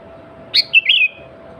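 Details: Kutilang, the sooty-headed bulbul, singing loudly as a lure for wild bulbuls: a quick three-part phrase, a bright clipped note then two bubbly fluting whistles, with a low background hum.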